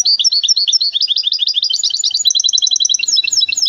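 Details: Continuous high-pitched twittering from a goldfinch hybrid from Temara, with rapid repeated chirps and buzzy trills that shift pitch throughout the nearly four-second stretch.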